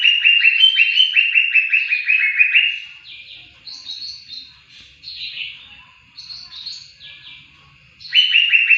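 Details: Greater green leafbird song used to train other songbirds: a rapid run of bright, slurred notes, about three per second, then quieter, varied warbled phrases, before the fast run returns at the end.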